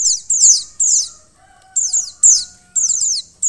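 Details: Female Mountain white-eye calling to rouse a male to sing, giving clustered bursts of thin, high, rapidly falling chips, one quiet gap midway, with a faint steady tone underneath.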